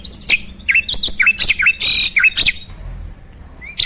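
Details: Jalak starling, a captive farm bird, pours out a dense gacor song: clipped whistles and rasping notes, then a fast thin trill and a final rising whistle.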